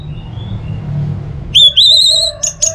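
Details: Orange-headed thrush (anis merah), a lure recording to keep birds singing: after a quiet, humming start, a bright upward-sliding whistle, then a long high level whistle and two short sharp notes.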